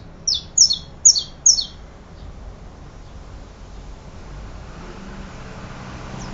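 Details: Four quick, high chips with a doubled downslurred shape come in fast succession from a saffron finch, then near silence with only a soft background hiss.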